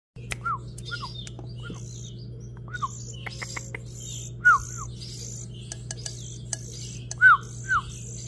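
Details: Young green singing finches recorded on January 22, 2023, giving short, sharp, downward-slurred chirps at irregular intervals, two louder near the end, over higher buzzy notes and a steady low hum.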